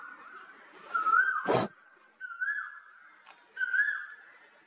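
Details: Asian koel, or koyal, from a recording of a male and female pair: three clear, rising whistled notes with faint harmonics, about a second apart. A sharp loud crack breaks in after the first note.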